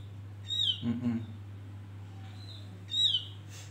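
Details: Lure recording of a male Javan grey-throated white-eye used to draw in birds: two sharp, bright whistles sliding downward about two and a half seconds apart, with a faint softer note between and a constant low hum behind.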